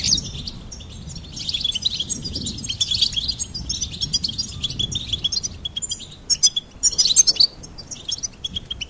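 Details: Goldfinch twittering in a busy, high, liquid chatter that gets louder in sharp chirps near the end over steady low noise.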